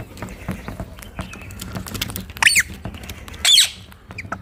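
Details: Wild rose-ringed parakeets sitting together in a tree in India: two harsh, loud squawks about a second apart rise above a steady, noisy background of faint chatter.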